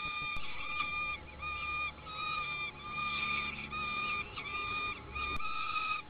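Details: Peregrine falcon nestlings on a nesting platform in an oak while an adult feeds them, giving long harmonic wailing notes one after another with brief pauses, plus occasional clicks and a low hum beneath.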